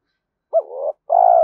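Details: Spotted dove coo meant to stimulate other doves: a short rising-then-dropping note, a brief pause, then a long, loud husky coo.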